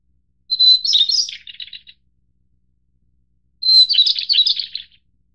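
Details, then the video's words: A White-browed Shortwing (Brachypteryx montana goodfellowi, Taiwan-endemic subspecies of mid to high mountains) gives two high phrases, each a brief steady whistle breaking into a rapid, jumbled twittering warble that fades out, in otherwise quiet surroundings. "小翼鶇/White-browed Shortwing"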